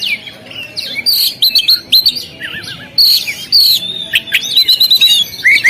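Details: Oriental magpie-robin singing on a contest stand: bright high whistles, a low wavering warble, then long sustained whistled phrases and rapid trills.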